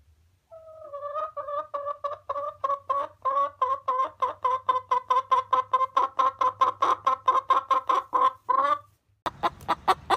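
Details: Domestic hen starts with soft clucks that speed up and grow louder into a fast rhythmic run, followed by a short burst of unrelated noise at the end.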